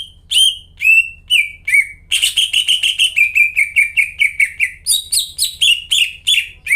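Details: Vigorous greater green leafbird song, used as a lure for leafbirds that have stopped singing: rapid slurred whistles falling in pitch, speeding to about two notes a second and then jumping higher near the end, over a faint steady low hum.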